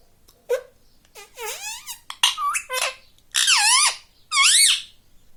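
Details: Pet rose-ringed parakeet kept indoors, mimicking human words including "mummy": a run of high, harmonic-rich syllables with bending, wavering pitch, grouped into several word-like bursts across about five seconds.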